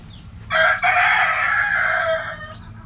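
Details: Rooster crowing in a backyard flock while hens play in the dirt: a brief clipped opening note then a long, loud, harsh sustained crow of nearly two seconds, tapering off, with a faint chirp after.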